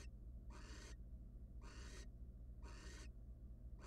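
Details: Barn owl pair in a wild nest box, male arriving with prey for his mate: three rasping hiss bursts, each under half a second, spaced about a second apart against a constant low background hum.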